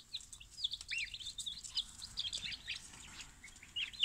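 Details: A box of freshly delivered chicks, a mixed barnyard batch collected at dawn from the post office, giving shrill overlapping peeps, quick descending and arching chirps packed closely together, against a soft rustle of movement.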